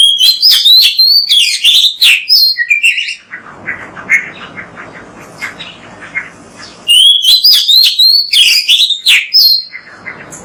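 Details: Oriental magpie-robin, a kept songbird used as a training model, singing a loud varied song of clear high whistles and rapid chattering phrases, with a quieter buzzy stretch in the middle before the bright whistling resumes.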